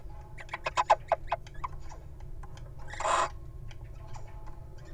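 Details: Little owl at a nest box, living wild, one bird guarding while its mate goes inside: a quick run of short clipped notes, then a single harsh hissing screech, with a constant low rumble behind.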